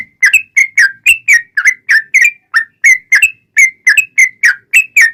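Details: Persistently singing yellow-vented bulbul in a fighting style, meant as a lure for other bulbuls. Rapid, evenly spaced bubbly whistles dip and rise in pitch, nearly four per second, with faint clicks between.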